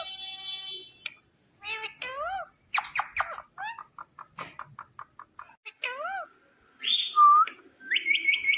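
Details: Talking pet Indian ringneck parakeet strings together crisp word-like syllables, clicks and quick rising-falling phrases, then a clear whistled note and a fast series of short upward chirps in a quiet room.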